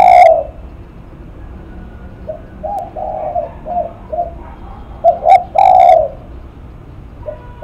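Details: Spotted dove singing in the lắc mặt style: low, mellow coos repeated at an even pace, with a few louder, sharper coo notes near the start and end over a steady rumbling background.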